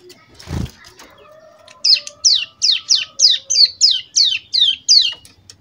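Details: Caged young prinia, over two months old, rehearsing a tutored 'AK47' burst: after a wing flutter, a run of about ten sharp, high, downward-slurred notes at roughly three per second.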